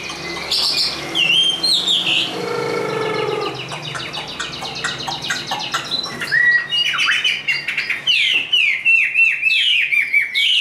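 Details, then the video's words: A tame captive Chinese hwamei, described as a good contest fighter-singer, sings a loud, fast, ever-changing medley of ringing whistles, slurred down-swoops and rapid chattering trills, packed tightly phrase after phrase. "Họa mi số 1120 Chim thuần 100% sách tay hót đấu đá rất tốt"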